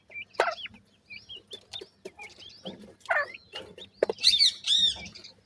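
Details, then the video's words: Grey francolin chicks giving thin curved peeps and chirps, ending in a cluster of louder, shrill trilled cheeps, with occasional clicks and a faint hum. "top gora teetar bird chicks,top partridge bird chicks ki sound"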